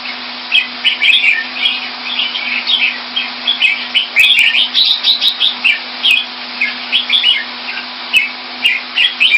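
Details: Red-whiskered bulbul, a kept Singapore jambul, singing: a lively run of short bright warbled and whistled phrases repeated throughout, over a steady low electrical hum.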